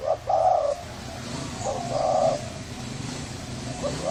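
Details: Spotted dove of a Thai line with a hoarse voice, cooing to excite males and females, recorded in 2020; low hoarse coo phrases with long rolling notes over steady background hiss.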